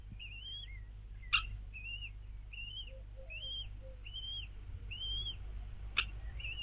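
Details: Four newly hatched common kestrel chicks being fed by their mother in the nest, recorded 4 May 2022: thin, high, arched whistled calls repeated about every half second, with two sharp clicks and a low hum underneath.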